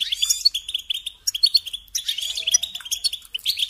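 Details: European goldfinch, a kept songbird, singing a fast, bright twittering song of rapid chirps and short trills with a few sharper high notes mixed in.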